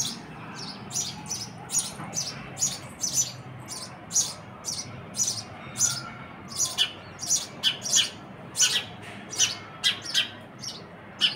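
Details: Baby sparrow calling: short, high, scratchy chirps repeated steadily about twice a second, over a steady background hiss.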